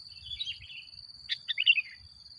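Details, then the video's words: Brief sooty-headed bulbul song for luring other bulbuls: a soft slurred warble, a sharp click, then a brighter bubbly phrase rising and falling, over a steady thin high tone. "Suara Burung Kutilang Gacor Paling Ampuh Untuk Pancingan"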